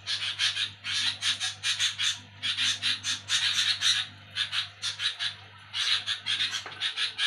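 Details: Sooty-headed bulbul calling loudly in the night: clustered bursts of coarse, buzzy chatter, each run of notes separated by brief silences, with a low mechanical hum in the background.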